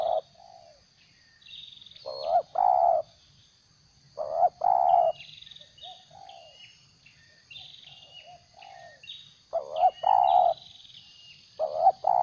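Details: Captive spotted dove kept as a trapping decoy, with its tail in moult, giving the plain stuttering 'gagap' coo: low hollow cooing bursts in uneven groups every few seconds, with thin high chirps from other birds between.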